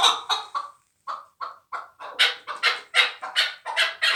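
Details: Fighting chukar partridge from last year's brood. A few clucks are followed by a short gap, then spaced harsh notes that speed up into a loud, rhythmic chuk series.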